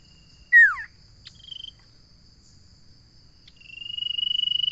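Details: Common iora song: a loud, sharply falling note, then a short high buzzy phrase, then a long pulsed trill holding steady at a high pitch and building in volume. A constant thin high whine runs behind.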